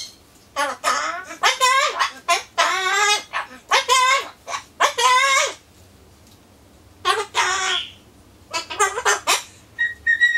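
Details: Pet Solomons corella chattering alone before pumpkin time, strings of wavering, nasal speech-like syllables in bursts, ending with a brief clear whistled note.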